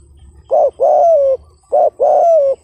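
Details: Spotted dove giving an urging coo: two loud, resonant phrases, each a short note followed by a long, steady, slightly falling coo, with a low rumble in the background.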